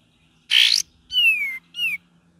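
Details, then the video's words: Cream-vented bulbul, gacor and ngeriwik style: one loud harsh rasping note, then a long clear whistle falling slowly in pitch and a shorter bright whistle dropping at its end. "KAPAS TEMBAK VARIASI GACOR DAN NGERIWIK"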